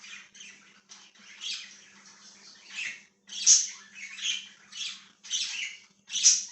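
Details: Chirping budgie recorded 1/6/2023. Quiet scratchy chatter builds into loud raspy bursts about every second, some ending in shrill squeaks, over a low steady hum.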